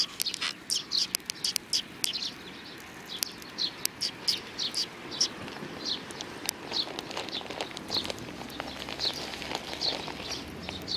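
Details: A flock of sparrows chatters at a Tenmangu shrine on 31 May 2019, with dense, uneven high-pitched chirping over eleven seconds and a constant low outdoor hum beneath.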